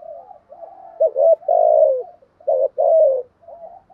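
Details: Spotted dove cooing in a set stimulating pattern used to prompt a wild-caught caged bird to answer. Low soft murmurs lead into a clipped two-part note and a drawn-out descending coo, repeated once more. Nothing else is audible.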